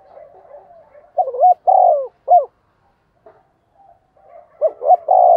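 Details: Decoy spotted dove calling: a soft rolling murmur, then a burst of short coos and a longer coo, clipped single notes, and another phrase of quick coos ending in a drawn-out note.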